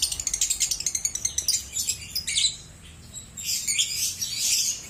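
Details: Lovebird, in a recording for prompting birds to sing: quick series of high, scratchy chirps that breaks into harsh, noisy squawking chatter, with a brief quieter pause in the middle.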